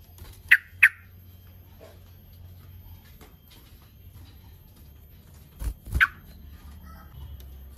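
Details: A yellow-vented bulbul gives short, bright 'cruk-cuk-cuk' chirps, a quick pair then a couple more, over a low hum; a call used to lure and provoke rival bulbuls into answering.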